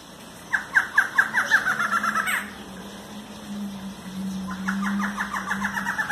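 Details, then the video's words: Barred antshrike (choca barrada) gives two rapid, accelerating series of nasal, rattling notes, the first ending in a higher flourish, over a steady low hum. "Choca Barrada Parea"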